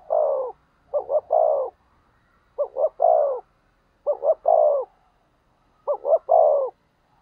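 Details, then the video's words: Spotted dove used as a decoy to provoke wild rival doves: four soft cooing phrases, each two quick short coos then a long downslurred coo, repeated about every one and a half seconds in a quiet setting. "Cu Gáy Mồi Thúc/ Kích Bổi Mới Nhất | Chim cu mồi"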